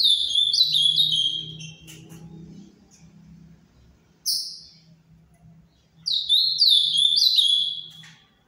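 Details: Paraná ultramarine grosbeak, captive bred, singing clear whistled phrases: a rapid descending warble of linked notes, a single sharp falling note after a pause, then the warbled phrase repeated, over a faint low background hum.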